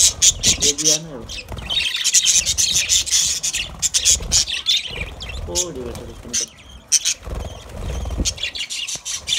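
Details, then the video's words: Budgerigars chattering to each other in a dense, buzzy stream of high chirps, clicks and squeaks, with brief lower harmonic warbles near the start and middle and short pauses between bursts. "Budgies birds speak to each other Beautiful Budgies talking sounds"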